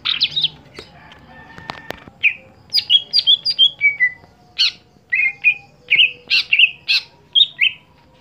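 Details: A competition-kept greater green leafbird that has gone off form delivers a lively run of whistled notes, many sliding downward, spaced about every half second, opening with a few clicks and knocks in the background.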